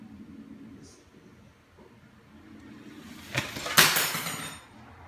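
A fledgling common starling gives two quick, harsh, breathy bursts close together, like a cough and a sneeze, over a low indoor hum.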